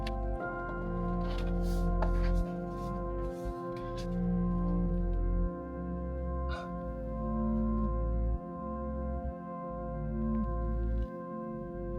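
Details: Soft, sustained ambient music with low droning tones; no animal sounds.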